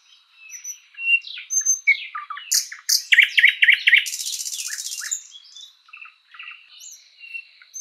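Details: Thrush nightingale in a spring forest singing whistles and piping notes, rising into loud knocks and rapid chook runs, a long dry rattle, then softer scattered phrases.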